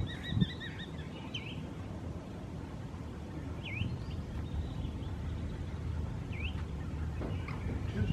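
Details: A Pacific Golden Plover at Mai Po, Hong Kong, on 30 April 2016 gives clear, dipping-then-rising whistled notes every two to three seconds, with a short warbling run at the start, over steady low wind rumble.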